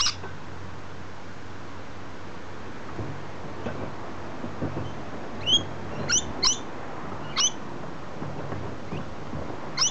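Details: Rainbow lorikeets in a tree give brief, shrill, high squeaks in scattered ones and twos, about six in ten seconds, over a low steady rumble of background noise.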